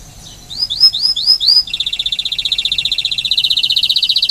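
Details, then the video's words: On Rhodes island, Greece, a Spanish timbrado canary gives a few rising slurred notes, then a long rapid, even rattling trill of bubbly notes that continues to the end. "Spanish timbrado canary singing at Rhodes island"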